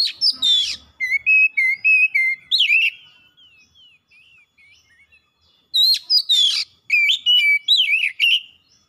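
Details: Energetic oriental magpie-robin song meant to trigger other kacer birds, full of learned phrases; rapid strings of clear, level and wavering whistles, a quieter pause with soft sliding notes, then another dense run of looping whistles.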